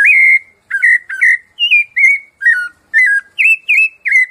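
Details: Sabiá-laranjeira, or Rufous-bellied Thrush, 'piedade senhor' song, played to tutor cage birds: about ten clear whistled phrases, mostly falling or wavering, each under half a second with brief pauses between, in a clean recording.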